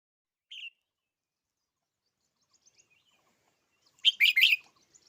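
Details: Red-whiskered bulbul giving one short high note, then after a pause a loud burst of several rapid, rough chirps near the end; otherwise quiet.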